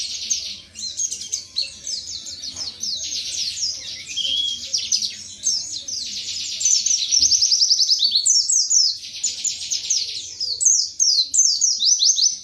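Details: Pleci, an Indonesian white-eye, in long continuous song: dense, rapid high chattering and twittering phrases tumbling together with brief rising whistles, steady loud delivery throughout, faint low hum in the background.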